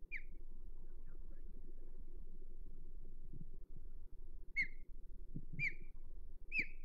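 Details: Osprey in nest-defense mode at Hog Island, 22 May 2023: an opening sharp whistled chirp, a long pause, then three evenly spaced piercing downslurred calls about a second apart, over steady low noise.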